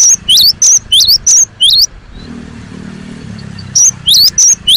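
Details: Persistent cinereous tit song: quick high whistled pairs repeated in a fast run, interrupted by the low drone of a passing motor vehicle, then the whistles resume.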